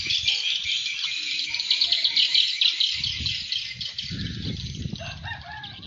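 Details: Swiftlet lure call meant to draw swiftlets in: a thick wash of high, rapid twittering chirps that runs without pause, joined in the second half by low rumbling thumps and handling noise.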